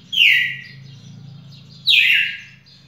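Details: Two strong descending whistled phrases from a red-cowled cardinal, recorded 18 June 2021, nearly two seconds apart with a low continuous hum underneath.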